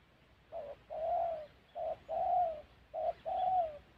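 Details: Spotted dove recorded during bird trapping in the wild mountain forests of Gia Lai, Central Highlands, Vietnam: three soft, somewhat distant pairs of coos, each a short note followed by a longer, slightly falling hollow coo, over a faint background hiss.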